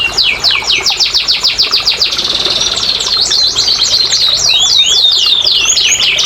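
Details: Canary singing to get silent canaries going: a run of rapid downward-sweeping whistled notes, then a fast rolling trill of looped, twisting notes, high and continuous.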